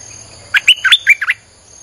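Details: Lure song of a Streak-eared bulbul for attracting wild birds: a brisk phrase of about six clear, chirping, warbled notes, rising and falling, packed into under a second, backed by a thin steady high-pitched whine.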